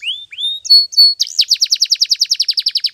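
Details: Canary song used for training: two upward-slurred whistles and a couple of steady high notes, then a quick run of repeated looping syllables, about seven per second.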